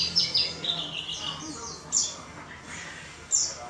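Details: Warbling white-eye in a small cage, giving a short phrase of high, quick twittering notes, then a few sharp, separated chirps after a pause.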